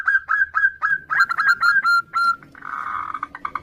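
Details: Female zebra dove, local perkutut, calling the male in a duet with other doves, used as a lure: a fast run of clear whistled notes at one pitch, then a rougher pulsed stretch of overlapping calls.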